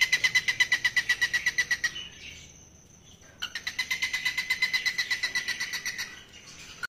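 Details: Falk bird calling as a sign of readiness to mate, two long runs of rapid, regular chirps, roughly twenty notes each, split by a brief quiet pause, with a faint high whine in the background.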